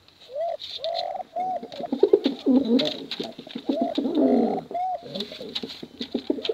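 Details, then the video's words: Competition pigeons, male and female, in long cooing bouts meant to lure young birds. Short rising-falling coo notes are followed by throaty overlapping rolls, with sharp clicks in the background. "Suara Bekuran Burung Merpati Lomba Hutan Dara"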